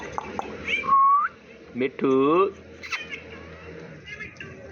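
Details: Pet Indian ringneck parakeet talking: a rising whistled note, then a short harmonic, voice-like phrase near mid-clip, followed by softer chattering fragments over quiet indoor background.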